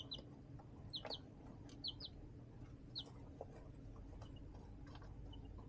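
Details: Baby chickens in a plastic-tote brooder under a heat lamp, 20 March 2024; paired bright upward-slurred chirps sound about once a second, then fade to faint peeps over a low rumbling background.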